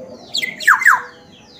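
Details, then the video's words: Black-naped oriole from Sumbawa, singing vigorously (gacor): a brief phrase of three quick, slightly harsh slurred notes, each sliding steeply downward, the last two louder, over a faint low background hum. "suara Asli kepodang Sumbawa Gacor"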